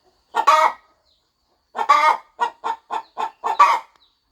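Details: Devoted farm hen settling over her eggs before hatching; one drawn-out cluck, a pause, then a longer cluck followed by a fast run of five short, evenly spaced clucks.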